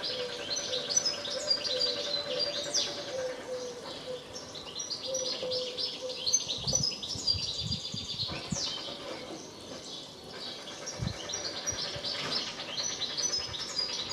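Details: European goldfinch singing: a busy stream of fast, high twittering and tinkling notes with buzzy trills, over a steady low hum and some background noise.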